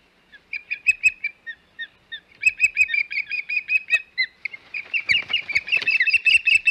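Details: Osprey at the Hog Island nest on 21 May 2021: rapid series of short, high, whistled chirps, at first in spaced groups, then quickening into a dense excited run with overlapping notes.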